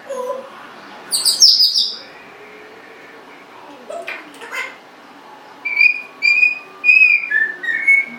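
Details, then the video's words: Pet Congo African grey parrot, 1.5 years old, vocalizing in a room: a shrill burst, some mumbled low notes, then a series of five or six high, clear whistled notes ending lower. "talking, burping, lots of vocalizing"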